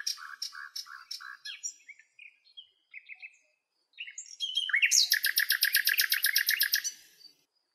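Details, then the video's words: Common nightingales singing in natural surroundings in Greece, among lilacs, giving varied whistled and chirping phrases, then a loud, rapid, even rattle of repeated notes lasting about two seconds. "Αηδόνια Κελάηδημα"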